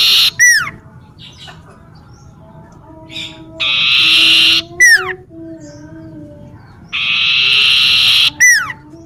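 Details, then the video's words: Garden near a house, common iora calling: sharp descending notes alternate with long, even, buzzy whistles lasting about a second, with soft background chirps from other birds. "siulan burung cipoh"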